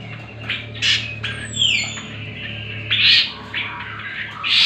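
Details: Greater green leafbird song for teaching other birds: spaced loud chirps and a long downward-sliding whistle, separated by pauses, with a steady low electrical hum throughout.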